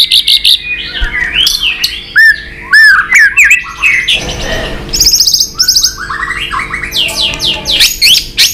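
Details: A White-rumped shama sings hard in a fighting contest while tail-flicking at a rival. It gives a rich mix of looping whistles, high sweeping notes and quick buzzy bursts, with brief rustling in the middle.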